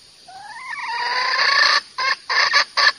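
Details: Male red junglefowl, recorded for luring roosters into traps: a rising, nasal, harmonic note swells into a loud harsh call, followed by three short, abrupt bursts.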